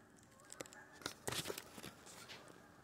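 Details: Geese landing in a wheat pasture on an October 25th morning; a few short, faint honks come at scattered moments, mixed with soft broadband clatter over a quiet background.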